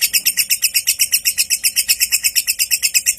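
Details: Lovebird ngekek singing, meant to prompt other lovebirds into song: rapid, evenly spaced shrill chattering notes, almost three a second, sustained without pause.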